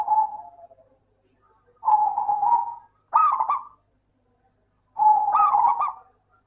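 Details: Local zebra dove whose song serves as a lure to make lazy doves sing: separate bursts of soft, rolling coos and quick stuttered trills, spaced by short silences.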